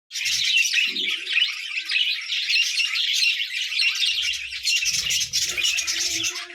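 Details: Several show budgerigars chatter nonstop in a dense, high, scratchy warble of rapid chirps and twitters.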